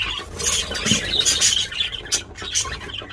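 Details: Budgerigars, apparently mating or feeding, chatter loudly in a dense run of high, scratchy squeaks and warbles, several notes each second with no steady rhythm.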